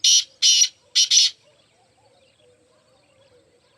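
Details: Mushki teetar, the black francolin, calls in loud scratchy bursts: two longer rasping notes, then a quick pair, followed by quiet with a faint distant twitter and the start of another burst.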